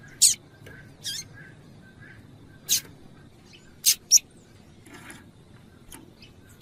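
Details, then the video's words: Female double-collared seedeater call meant to stir a male to sing: sharp, bright chips come singly or in quick pairs every second or so over faint, soft repeated notes and low background hiss. "Piado de fêmea de coleiro para Esquentar Coleiro"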